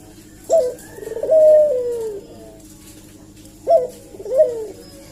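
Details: Two phrases from a vigorously calling Eurasian collared dove used as a lure: a sharp opening note, then a rolling coo drawn into a long falling tone; the second phrase shorter.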